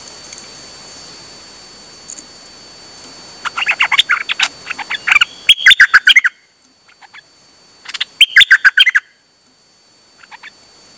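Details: Dok Taeng bird singing on 8 September 2023. Soft, buzzy notes build into several fast bursts of bright chirps and sharp whistled notes, with a short pause between phrases.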